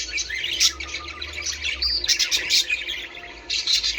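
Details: Budgerigars chirping to stimulate breeding, a lively stream of high twittering and short whistled notes with sharp squeaks, over a faint low hum.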